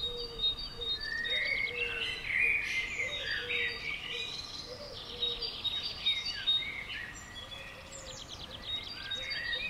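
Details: Common swifts, described as 'bangers', heard at and around a house on June 5th 2011. Repeated high, buzzy shrieks and trills overlap throughout, with soft low cooing from another bird underneath.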